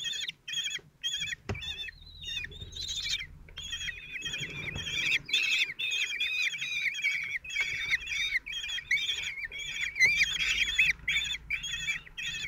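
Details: In Théding, France, on 26 June 2023, four common kestrel chicks aged 16 days are fed at the nest by their father, who raises them alone. Repeated shrill, quivering calls come in stuttering bursts, growing denser toward the end.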